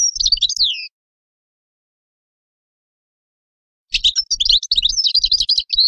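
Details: European goldfinch with a short twittering phrase that ends in a descending slur, then a long pause, then a busy run of high tinkling and buzzy notes.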